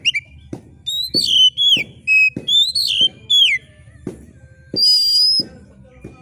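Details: Oriental magpie-robin (kacer) giving a sharp screeching song, used to rouse a competition bird: clear whistled notes sliding up and down in short bursts, with one long harsh high note near the end and regular low knocking sounds.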